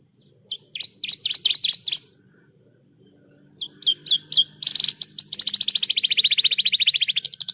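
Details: Horsfield's bush lark song used as masteran: a cluster of shrill chirps, a quiet pause, more chirps, then a long buzzy trill that slowly drops in pitch. A steady high tone and a low hum run beneath.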